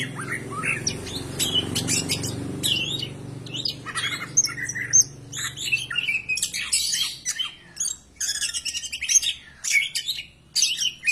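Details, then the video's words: Greater green leafbird song played to encourage other birds to sing: opens with scattered chirps over a low hum, then builds into rapid, varied chattering phrases with sharp, high squeaks. "PANCINGAN SUARA BURUNG CAK IJO BAHAN AGAR CEPAT GACOR"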